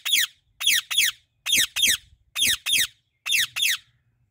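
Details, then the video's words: Loud, harsh screeches from a female Indian ringneck parrot in a blossoming apple tree. The sharp, downward-sweeping notes come mostly in pairs with short silent gaps. "Female Indian Ringneck Parrot Natural Voice | Natural Parrot Sounds and Calls"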